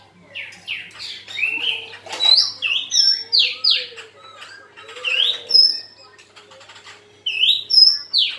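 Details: Black-throated laughingthrush fighting song. Loud, clear whistled notes, mostly short rising or falling slurs, are delivered rapidly in groups with brief pauses between them.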